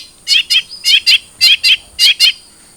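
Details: Long-tailed shrike of the trotol type, used to stimulate a caged bird to sing: paired buzzy, slurred high notes repeated in four evenly spaced couplets.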